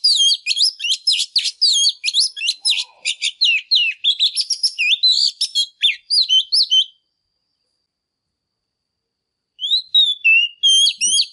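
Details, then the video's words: Female Oriental magpie-robin in intense song meant to provoke male birds: about seven seconds of fast, jumbled high chirps, buzzy trills and swooping whistles, a pause of nearly three seconds, then another burst of whistles and chirps. "Chòe than mái kích trống HÓT CĂNG"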